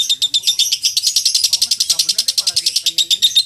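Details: Caged lovebird singing a contest-style chatter used as training material: fast repeated shrill pulses with slight variations, faint low murmurs in the background.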